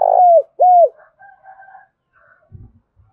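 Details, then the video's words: Two loud arched coos from a spotted dove, a call used to draw wild doves, followed by fainter higher bird chatter and a few low knocks. "tiếng cu gáy thúc bổi"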